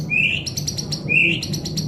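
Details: White-rumped shama song called very crisp. Two phrases, each a rising whistled slur followed by a quick run of sharp high chips, over a low steady hum.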